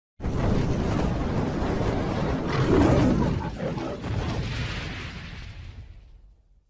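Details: A sudden heavy low rumbling whoosh, like an explosion or roaring blast, swells and fades out over several seconds, with no animal voices heard.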